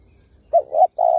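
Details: Spotted dove giving a brief low coo: two soft rolling notes, a short pause, then a sustained steady hoot cut off at the end.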